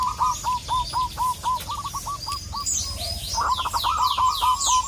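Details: Zebra dove of a local wild strain singing actively to call a rival: a long run of quick, evenly spaced cooing notes, a brief pause, then a faster burst, with many small birds twittering above.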